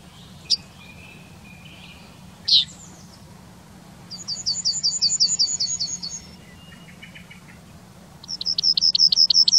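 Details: Town-dwelling Yellowhammer recorded in Wittlich, 2019: a quick string of around eleven bright, high notes, a few lower notes at its close, a pause, then another rapid run of high notes begins.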